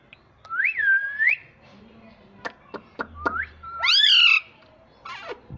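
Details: Pet parrot, said to talk in Hindi saying mummy: a long dipping whistle, then clicks and a short rising whistle, a loud harsh arched squawk, and a falling rasp.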